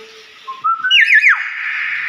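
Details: Common hill myna, a talkative bird, producing a low whistle stepping upward into rapid looping warbled notes that end in a sustained harsh tone, amid people greeting it with 'Asalamualaikum'.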